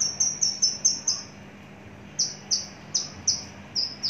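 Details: Large-bodied, long-kept Javan bush lark in a cage repeats sharp, high down-slurred whistles in two bursts separated by a short pause, a low hum in the background.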